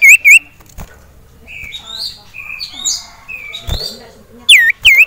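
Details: Caged male sirtu agitated at the sight of a rival male and a female: loud ringing V-shaped whistles, two at the start and two at the end, with softer varied chirps from other caged birds between them.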